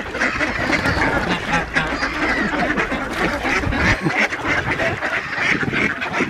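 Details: Ducks calling at feeding time on Diss Mere, outnumbering two geese, on 17 December 2022; a dense, continuous chorus of harsh quacks and nasal calls overlapping throughout, with splashing and general flock noise.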